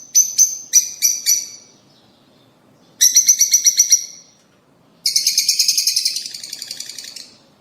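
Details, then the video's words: Lovebird calls meant to stimulate lovebirds to mate: short clusters of sharp, high chirps, then a fast run of repeated chirps and a long buzzy trilled chatter, separated by brief silences. "The sound of motivating the lovebird to mate"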